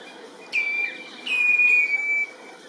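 A common ringed plover gives two clear, mellow whistles, the second longer and gently falling, against a faint steady hiss.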